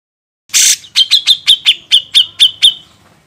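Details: Grey-cheeked bulbul on a songbird-training master track: a loud harsh rasp, then eight or nine short clipped chirps on a steady high pitch, evenly spaced and fading at the end.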